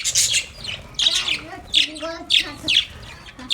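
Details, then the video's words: Budgerigars, happy and playing in a cage, alternate shrill high chirps with lower, wavering warbled notes, about two bursts a second. "Happy Budgies Chirping sound My Budgies play in Cage"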